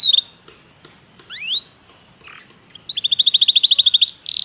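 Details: Belgian canary song used to train other canaries. Scattered chips and rising whistles lead into a steady rapid trill of evenly spaced high notes, then a brief buzzy finish.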